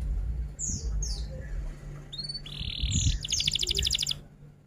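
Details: F1 canary singing in rolling tutor-song style. Scattered high whistled slurs and short buzzy notes lead into a brief, rapid high trill. Low rumbling background noise is heard throughout.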